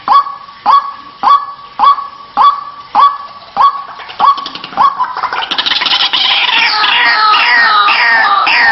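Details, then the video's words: White-breasted waterhen lure call, played to draw the bird out of its nest or hiding: loud harsh croaking notes repeated nearly twice a second for five seconds, then a dense, overlapping jumble of rapid rasping calls. "Suara Pikat ruak ruak"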